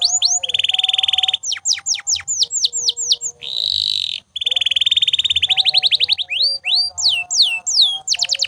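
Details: Canary singing endlessly as a training aid for other birds, alternating rapid rolling trills, sharp downward whistles and a buzzy harsh passage, with quieter low tonal notes running beneath.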